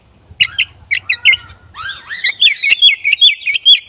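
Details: Oriental magpie-robin song meant as a lure to provoke other magpie-robins: quick series of sharp chirping notes, a brief harsh burst, then a fast run of bright, rising-falling whistles repeated roughly twice per second.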